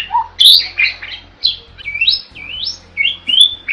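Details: Vigorous gacor song of a starling used as a master recording: a string of bright, looping whistles, each swelling upward then sliding down, spaced by short pauses, over a soft low drone.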